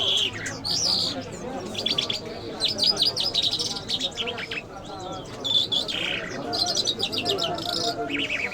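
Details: Lark song in the Mashhadi mast style, fast and varied: rapid trills, buzzy rattles and short whistled notes tumble into one another with almost no breaks.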